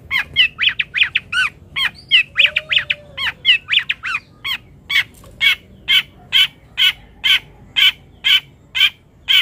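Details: Long-tailed shrike (toed) chattering energetically: scratchy, rasping notes in quick succession, then an evenly spaced series of about ten harsh chips roughly every half second.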